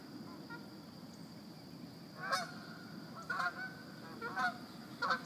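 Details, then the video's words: Geese at the Chattahoochee giving four loud, nasal honks after two seconds of quiet, spaced about a second apart, over a steady low rumble and a faint high hiss. "Chattahoochee Geese"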